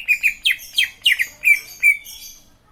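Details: Green leafbird singing a quick run of sharp, downslurred chirps, then two longer, steadier whistled notes before the phrase fades out; little else audible.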